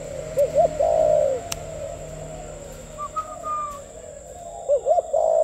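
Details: Spotted dove cooing gù tít style, double note and long coo, then a faint higher whistle from another bird, and a new double note and coo starting at the end.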